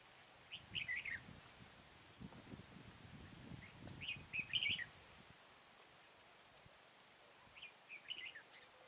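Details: During bird trapping in Kim Bôi, Hòa Bình, 6 April 2017, a red-whiskered bulbul gives three brief, bubbling whistled phrases spaced a few seconds apart, with soft low rustling and handling noise in the first half.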